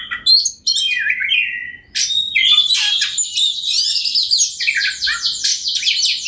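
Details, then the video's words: Oriental magpie-robin singing persistently as a lure for rival birds; whistled slurs give way to a long, loud run of rapid repeated buzzy trilled notes, with faint low background noise. "KACER NGOTOT PANCINGAN TERBAIK BIAR KACER LAWAN CEPAT GACOR, Kacer Gacor Full Ngobra"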